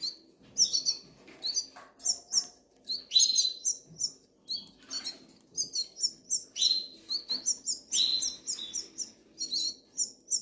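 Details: Begging goldfinch nestlings in the Canary Islands, hungry: rapid series of short, very high squeaky chirps repeated almost every half second, with occasional longer buzzy notes and faint low hum.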